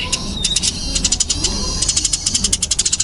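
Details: Eurasian tree sparrow of the fighting kind, burung gereja tarung, uttering scattered high chirps that quicken into a fast, even run in the second half, over a faint low hum.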